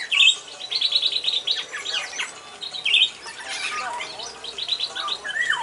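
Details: Captive pair of wild-caught Black-naped Orioles in a semi-natural aviary, become keen singers after roughly three months; rapid repeated high chattering notes in quick runs, mixed with fluting slurred whistles and other bird chatter around.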